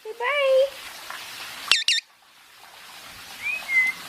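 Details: Indian ringneck parakeet, a basking pet: a rising harmonic call, a loud double screech, then after a pause a soft upward whistle sliding into a flat note.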